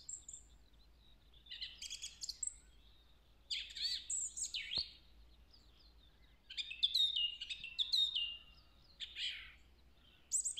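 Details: Wild song thrush in springtime woodland, early April 2020, singing a phrase likened to the Woody Woodpecker song. Loud, high, varied phrases of twittering notes and clear whistles, with pauses between bursts and a single sharp click midway.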